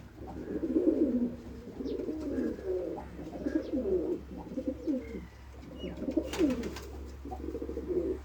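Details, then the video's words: Several pigeons coo in overlapping rolling phrases, deep and purring, with a brief burst of rustling noise about two thirds through. "kabotar ki awaz | sound of pigeon"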